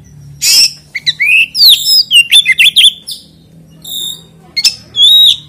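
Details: Oriental magpie-robin song used as a lure to set other magpie-robins singing, a continuous style without chattering notes: loud whistled and buzzy phrases, sweeping and warbled, in rapid bursts with short pauses, over a faint low hum.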